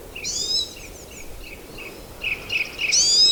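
Pine siskin giving high, buzzy twittering calls, short rising notes repeated several times with a loud buzzy burst at the end.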